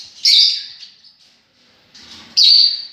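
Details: Lovebirds, several birds said to be enjoying themselves, give two loud, shrill, buzzy screeches separated by a short quiet gap, the second ending abruptly.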